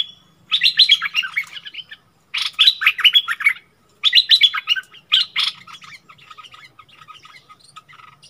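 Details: Decoy bulbul quarrelling with a wild bird, 27 March 2021: four loud bursts of quick, tumbling chattering notes, then softer, fading trills with faint chirps trailing off.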